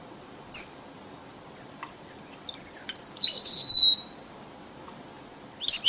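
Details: Red avadavat lure song: one sharp high chip, a pause, then a string of rapid thin whistles stepping downward into a sustained high falling note. A bright squeaky note closes the phrase.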